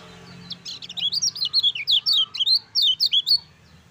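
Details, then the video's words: Lemon-bellied white-eye, a lively singer used as a master song to prompt other white-eyes, ciak ciak jos style; a quick run of high, sharply slurred chirps and whistles repeated rapidly over about three seconds, with faint low hum beneath. "SUARA KECIAL KUNING GACOR NGEJOS AMPUH RANGSANG KECIAL KUNING CEPAT BUNYI"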